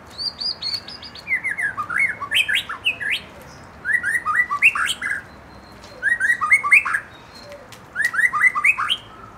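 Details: White-rumped shama, a young bird from the forest provoked to sing, delivers four phrases of bright, bouncing whistled notes that rise and fall, mixed with sharp high clicks, each phrase about two seconds long.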